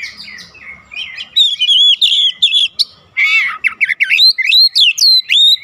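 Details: Oriental magpie-robin singing at home to provoke a response from other birds; soft warbling opening gives way to loud, rapid rising and falling whistled notes repeated in quick succession.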